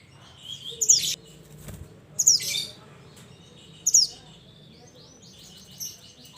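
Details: Mountain mantenan bird calling its companions: three sharp, very high notes sweeping downward, spaced about one and a half seconds apart, with faint higher chips near the end and a quiet rural background.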